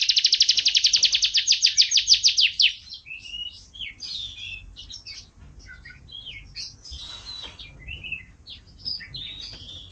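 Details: Canary singing: a loud fast trill of repeated high notes for a few seconds, then softer scattered chirps and twitters in a small room.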